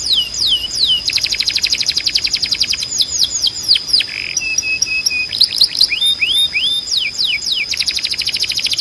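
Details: Belgian canary in full training song: looping downward whistles, a dense rattling trill, a short buzzy note, then more bright descending sweeps in quick succession.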